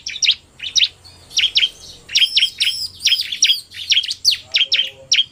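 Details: Bar-winged prinia pair, narung male with quick female: crisp, sharp high chirps repeated roughly once a second, some paired, others in short ringing bursts, against a faint low hum.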